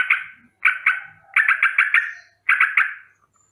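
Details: Morning alarm of a sooty-headed bulbul, a rolling warning of danger: rasping chatter in clusters of two to five rapid notes, each burst trailing off briefly before the next.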